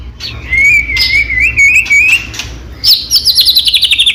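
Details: White-rumped shama singing to provoke rival shamas to answer. One long wavering whistle runs for about two seconds, then breaks into a rapid, high chattering trill.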